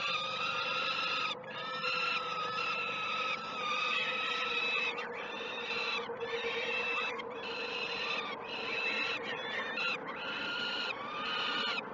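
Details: Peregrine falcon chicks at the Great Spirit Bluff nest, filmed by a live cam at 06:20 on 12 June 2018 during the first two feeds. Long, harsh, harmonic wailing calls run almost without pause, each dropping briefly before starting again.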